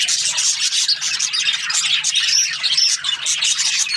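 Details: A group of budgies keeps up a lively morning chatter of quick high chirps and scratchy warbles, with two brief clear whistles in the middle, and a low steady hum behind.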